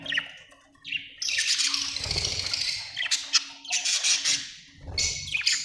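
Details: Budgerigars give long scratchy, buzzy chattering bursts mixed with sharp squawks, pausing briefly between phrases, with a low steady hum beneath.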